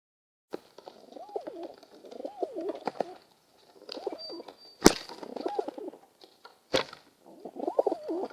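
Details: Group of pigeons in the morning: repeated low, rolling, wavering coos from several birds, with two sharp clapping bangs and a faint high ringing tone in the background.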